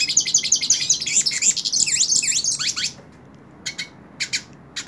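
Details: Hooded siskin singing in the hand, a bird praised as a strong singer: dense high twittering with quick up-and-down slurred notes for about three seconds, then silence broken by a few brief chirps.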